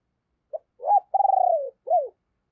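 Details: Decoy spotted dove, deep and hoarse, giving one calling phrase used to provoke wild doves: a brief note, a rising-falling coo, a long throbbing trill sliding downward, and a final arched slur.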